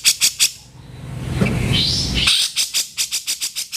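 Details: Grey-cheeked bulbul uttering the harsh kasaran call, a master recording for caged birds: three rasping notes, a second of background noise with faint higher chirps, then a rapid string of scratchy chatter.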